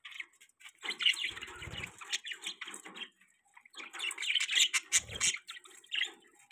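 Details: Pet budgies chirping and chattering in a small room: bursts of rapid, scratchy warbled chirps with squeaky whistled notes, in two busy spells separated by a brief pause.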